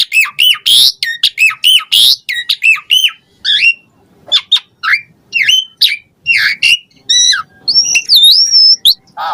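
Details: Energetic Asian pied starling song packed with luxurious varied fill-ins, played to prompt caged birds to sing: dense runs of buzzy, chattering notes, then sparser rising and falling whistles and a long wavering whistle near the end.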